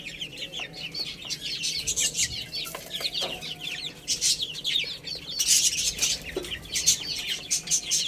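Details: Little chicks playing and eating together: a constant flock of shrill, high peeps, each a quick falling whistle, overlapping thickly, with scattered sharp clicks of pecking at food.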